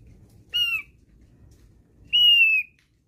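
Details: Javan grey-throated white-eye song used as a lure: two clear whistled notes, each sliding slightly downward, about one and a half seconds apart over a low steady rumble.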